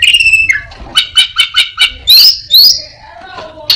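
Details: Steady whistle with overtones, a regular row of six buzzy chirps, then two fast rising whistles from an orange-headed thrush that mimics prinia, a cat, cirtu and other birds.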